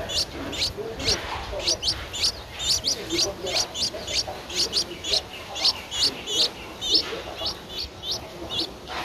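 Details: Eleven-day-old Streak-eared Bulbul nestling begging, Ubon Ratchathani, Thailand, 13 April 2023: dense series of thin, high, rising squeaks repeated rapidly throughout, over a low background murmur.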